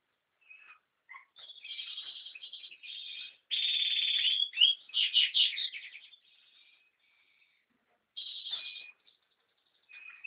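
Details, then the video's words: American goldfinch singing: bright, rapid twittering with buzzy, warbled phrases and quick chattering notes in bursts, a long rich phrase near the middle, then a short reprise after a pause, on a silent background. "Carduelis Tristis song"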